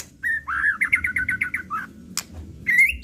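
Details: White-rumped shama in agitated 'pastol' lure style: a whistled note, then a quick series of bright, evenly spaced chirps falling away, a sharp click, and a final rising whistle.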